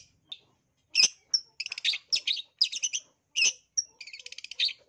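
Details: Long-tailed shrike lure song meant to rouse other shrikes to fight: sharp whistled notes alternate with fast rattling, buzzy trills, phrases about half a second long separated by short gaps.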